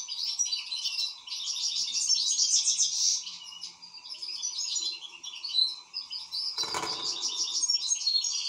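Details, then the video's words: Excited European goldfinch singing: a dense, rapid stream of high twittering, tinkling and chattering notes running almost without pause, with a steady low hum underneath and a brief knock near the end. "حسون هائج"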